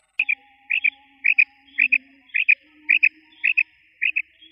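A female quail gives quick, high, doubled notes, repeated about twice a second in a steady series, over a faint low hum.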